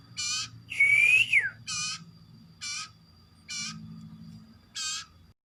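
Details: Hoarse, unusual sounds from a common iora: a curved whistled note that rises then drops sharply, followed by evenly spaced short rasping squawks about one second apart, with a soft low hum behind.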